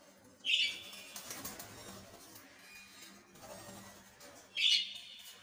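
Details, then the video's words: Lovebirds giving two short, shrill, harsh screeching calls about four seconds apart. Faint low hum and room noise fill the gaps between them. "Love birds"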